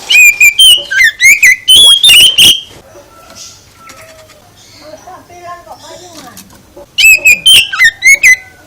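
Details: Oriental magpie-robin song meant to trigger answers from other birds: a fast series of loud, twisting whistles, then a quieter stretch with faint low sounds, then another burst of whistling.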